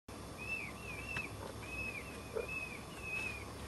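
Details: A peafowl chick on its third day of life, on a porch, calls to its mother with thin, high, arched peeps, about two per second, each slightly rising then falling, over a low steady rumble.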